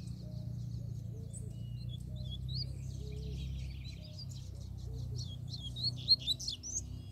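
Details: Free-living double-collared seedeater arriving in full song: a dense, rapid run of high, sharp chirps and buzzy trills that builds to louder bursts near the end. A lower, softer repeated whistle sounds underneath, over a steady low rumble.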